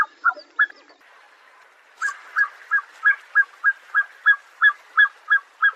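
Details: Black-necked Swan giving a few soft, clipped notes, a short pause, then a regular series of similar nasal, slightly rising notes about three per second, evenly spaced and clear over a quiet background.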